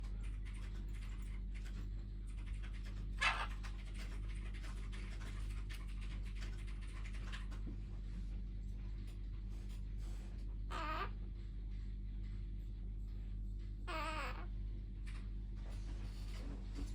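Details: A young male Quaker parrot (Monk Parakeet), about six months old, trying to talk, makes a few brief, warbling, speech-like bursts over a steady low indoor hum.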